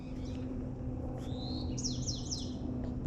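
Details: A Bewick's wren in Vancouver's Shaughnessy neighbourhood on a beautiful day, first mistaken for a white-crowned sparrow, sings a thin, slightly rising whistle followed by three quick, high, down-slurred notes, faint over a steady low hum.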